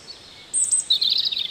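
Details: European robin song from the Netherlands: a sudden, loud run of high, thin, rapid twittering notes, starting very high and dropping slightly, sustained for about a second over faint background hiss.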